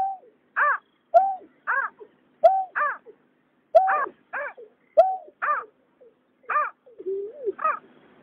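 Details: Male and female water rail from 2021, for night trapping of migrating birds: level low notes answered by arched, falling harmonic calls in uneven pairs, ending with a softer, lower wavering note.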